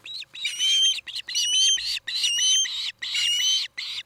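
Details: At a nest in Charlo, Montana, on the evening of 17 August 2018, an Osprey from a nesting pair gives a loud series of shrill, whistled chirps, about one per second, each slightly rising and piercing.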